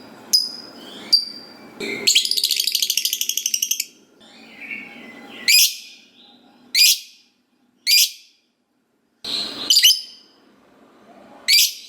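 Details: Gacor lovebird, a long ngekek chatter used to make other lovebirds reply: two shrill squeaks, a two-second burst of rapid high pulses, then a string of harsh separate shrieks spaced about a second apart.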